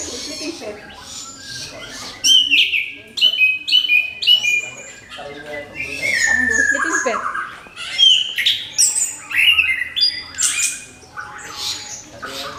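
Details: Orange-headed thrush in full song, used to provoke other birds to sing: long rich sequence of loud whistles, slurred slides and rapid chattering bursts, with short pauses.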